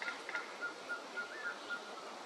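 Mottled Piculet giving a steady series of short, thin whistled notes, about four per second, over a constant background hiss.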